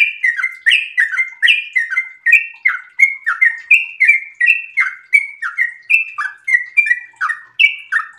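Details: Sooty-headed bulbul in breeding condition delivering an extended, uninterrupted song of clear whistles, alternating downward swoops and short level notes, about two to three per second.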